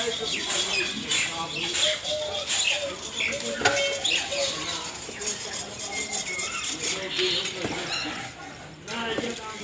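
Common mynas give a busy, nonstop chatter of harsh, gurgling notes, clicks and short whistles, with several birds seemingly calling over one another.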